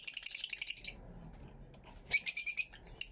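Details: Aviary-kept Fischer's lovebirds, captured on a camera with two external microphones, give two bursts of rapid shrill twittering, each under a second long, separated by a quiet gap of about a second with a faint low hum.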